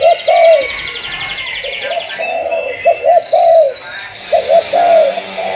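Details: Spotted dove being schooled as a decoy, Malaysian 'thúc gù' cooing line: bouts of two quick hoots and a longer drawn coo, repeated three times, over a background of high, buzzy chirping from other birds.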